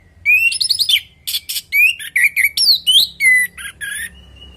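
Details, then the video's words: Orange-headed thrush singing a natural song meant to prompt other birds to reply: a continuous run of varied rising whistles, warbles and sliding phrases, ending on a thin, steady held note. "Pancingan burung anis merah|Agar nyaut Dan ikut ngeplong|"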